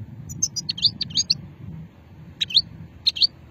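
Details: European goldfinch from Sétif, Hammam Guergour, recorded in 2020: short groups of sharp, tinkling twittered notes separated by brief pauses, over a steady low hum.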